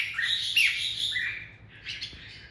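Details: Red-whiskered bulbul used as a decoy bird, worked up and singing its "ché" style song, called very unusual. A short run of quick chirpy, warbling notes, loudest near the middle and fading toward the end.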